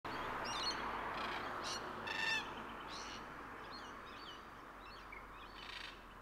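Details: Red-tailed black cockatoos at King's Park in Perth, Western Australia, recorded on 29 October 2023: a harsh, grating call rising out of steady background hiss, with several fainter scratchy calls scattered through the rest.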